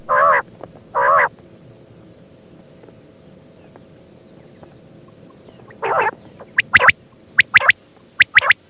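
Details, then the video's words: Female quail calling: two buzzy, harmonic-rich nasal notes about a second apart, then a pause and another burst of the same note mixed with short, sharp high clicks and chips. Quiet steady hum in the background. "female bater sound"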